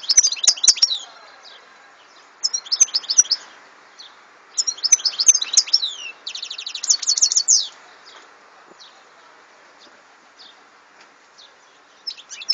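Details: European goldfinch singing, 2014 recording: several short phrases of high, jangling twitters and buzzy trills, including one fast even rattle, separated by brief pauses.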